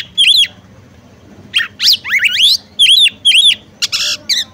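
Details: Oriental magpie-robin female calling to make the male sing: piercing dipping double notes alternate with fast rising squeaky sweeps and a short harsh buzzy burst, in quick irregular bursts over a faint background hum.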